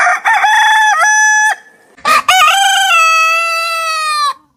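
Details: Rooster from a backyard compilation of heritage breeds crowing twice: a short harmonic crow, a brief break, then a longer crow with a sustained, slowly falling final note.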